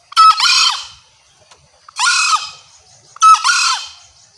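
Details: Loud, clear lure call of a female green junglefowl calling males: three harsh, rasping squawks, each falling away at the end, spaced about one and a half seconds apart over a silent background.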